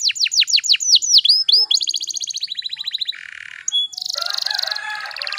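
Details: Canary singing as a lure for young canaries: loud downward-sweeping whistles repeated quickly, then a fast trill, a low buzzy rattle, and a continuous high rolling trill.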